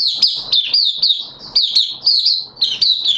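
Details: A captive Oriental white-eye sings a continuous run of thin, high twittering notes slurring up and down, with faint low knocking sounds beneath, on the second day of a monthly deworming treatment.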